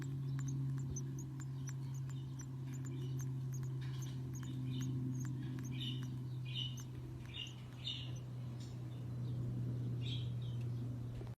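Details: Baby budgerigars chirping: a rapid, uneven stream of short, thin, high squeaky chirps, several each second, with a few louder buzzy notes in the middle, all over a steady low electrical hum.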